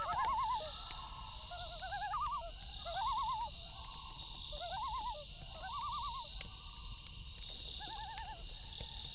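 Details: Night-time loon calls: a run of quavering tremolo phrases repeated every second or so, some stacked at two pitches, with sharp campfire snaps and an unbroken chorus of crickets behind.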